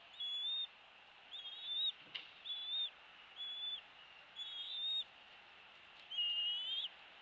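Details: At a Captiva Island, Florida bald eagle nest in February 2023, a string of high, thin whistles, some slightly rising or wavering, given about once a second, with one sharp knock midway and light background hiss.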